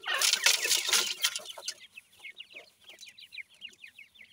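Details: Francolin chicks with their family: after a loud burst of rustling, a clear run of quick, high, falling peeps follows, about four per second, with faint low clucks.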